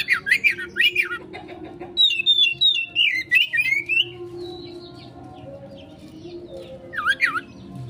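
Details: Oriental magpie-robin konslet song used as a lure for quick response: swooping whistles, then a run of descending whistled phrases repeated about every half second, a quiet gap, and a final looping whistle.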